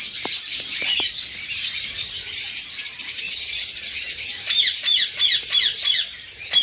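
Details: Eastern rosellas, a pair with fledged young living together. One fledgling already feeds itself and is chased by the male. Dense high chirping gives way to a quick series of sharp down-slurred chirps in the second half.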